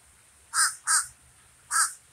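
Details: Common raven calling: two quick harsh croaks close together, a pause, then a third croak.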